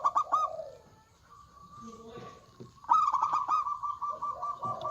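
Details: Local zebra dove in full song with a big voice: loud bursts of rapid, pulsed coos at the start and again near three seconds, with smooth sustained cooing tones between them and softer lower coos.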